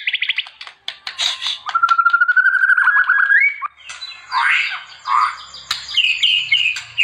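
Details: White-rumped shama singing, used as training material: rapid stuttered notes, a long even trill rising gradually, then looping warbles and short high repeated phrases.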